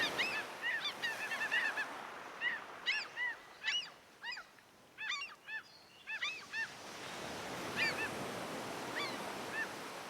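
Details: Gulls gliding over the sea in the wind call in bursts of sharp, arched, nasal cries, several in quick succession, then pause while surf and wind wash in the background.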